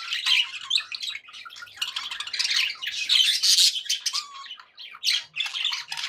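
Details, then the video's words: Happy pet budgies chatter in a steady stream of raspy warbles, squeaks and clicks, the flock's overlapping voices keeping up a busy, continuous high-pitched babble. "happy budgie sounds"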